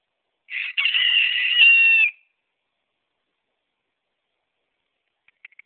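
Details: A young black bantam rooster of a pure black breed, about five to six months old, gives one high, strained crow lasting about a second and a half, followed by silence and a few faint clicks.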